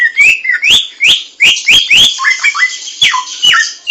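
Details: Samyong laughingthrush singing in the wild: loud clear whistled phrases, sharply rising then falling notes repeated in quick series, with lower descending whistles mid-phrase; no other clear sounds.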